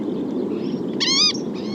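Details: Green-tailed Towhee giving its characteristic call, a single nasal, cat-like mew about a third of a second long and slightly wavering, over a low steady rumble.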